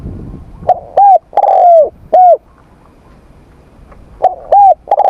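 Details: Spotted dove cooing in the morning: loud hoarse coos, each a short note then longer drawn notes, given in a phrase, a pause, then the phrase again.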